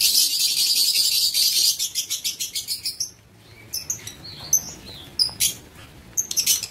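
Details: Aviary lovebirds giving a loud, continuous shrill buzzing chatter, then rapid pulsed chirps, followed by separate high squeaks and sharp screeches at uneven intervals.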